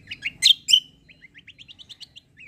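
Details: Kecial kombo white-eye, a competition-grade bird used as a singing tutor for other birds. Loud sharp chirps, then a quick run of short rising whistled notes climbing in pitch, with a faint low hum behind.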